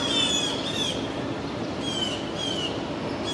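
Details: Blue jays pestering a young red-tailed hawk fledgling in an East Village, Manhattan park in June 2022: scratchy, drawn-out jeering calls in short series, partly masked by constant urban rumble.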